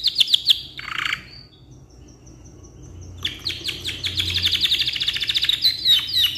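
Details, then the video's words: Black-red rolling canary in long song meant as a tutor model: quick chips and a buzzy burst, a short pause with faint high notes, then a long, steady rolling trill of rapid repeated notes. "GACOR KICAU PANJANG COCOK BUAT MASTERAN"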